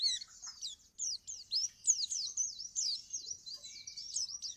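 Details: Dokor-type white-eye in moult delivering ngriwik-style song: quick high twittering phrases of sliding and rising notes, broken by short pauses, otherwise clear of other sounds.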